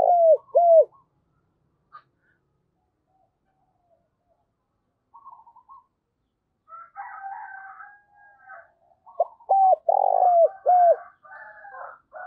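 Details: Spotted dove kept as a decoy, calling to provoke rival doves. Two falling coos open the sequence, then a long quiet gap. Faint chattering notes follow, then a closing burst of several loud coos with a broad, rough middle note.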